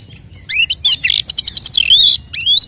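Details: Oriental magpie-robin fighting song aimed at provoking rival males: an energetic phrase of rising whistled slurs leading into a fast stuttering series of bright notes, ending with a loud upslurred whistle.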